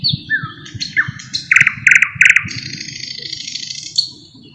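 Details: Thrush nightingale song with mimicry of other birds, one of 15-20 song types: whistled notes sliding between low and high pitch, then three loud buzzy rattling bursts and a long high sustained trill, over a steady low rumble.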